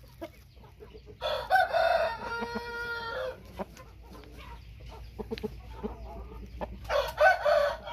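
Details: White-tailed Thai rooster crowing: a long, strained, buzzy crow of about two seconds with a rich harmonic tone, followed by quieter clucks and clicks and then the start of another harsh crow near the end.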